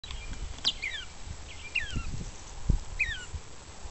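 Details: Banded gray catbird practicing its song and mimicking other species: soft, scattered, downslurred whistled phrases about a second apart, over low thumping background noise.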